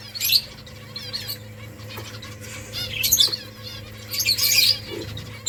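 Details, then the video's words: Finches at a colony while nest building give sharp high chirps and short chattering bursts, a few seconds apart, with soft rustling and a low hum. "Finches making nest Finches chirping sounds beautiful finches colony"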